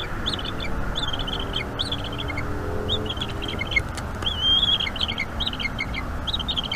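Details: Bald eagle eaglet on a wild nest in North East Florida, evening of 5 May 2021, being fed squirrel by its mother: rapid high chittering bursts of thin squeaky notes, repeated in quick runs with one drawn-out whistle.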